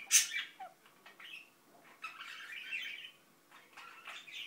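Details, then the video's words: A sharp squawk from an Indian ringneck parakeet opens, then it mumbles in soft, scratchy, babbling phrases with short pauses between them. "İndian Ringneck Börek mumbling"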